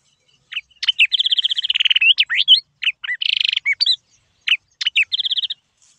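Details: Yellow-eyed babbler at Silvassa, Dadra and Nagar Haveli, India, giving bright, high notes: sharp chips and slurred whistles mixed with quick rattling trills, in bursts about every second.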